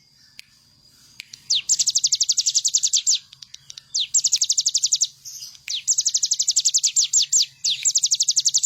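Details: Ciblek gunung, the bar-winged prinia, singing energetically for a bird-training master track: repeated bursts of quick, bright, high chipping notes, a few slower slurred notes between phrases, over a faint low hum.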